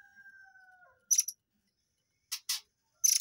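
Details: Murai air, known too as air mancur, heard in a training recording for white-rumped shamas: after a soft, steady whistled tone, sharp high chirps come in short bursts, ending with a quick rapid stutter of piercing notes.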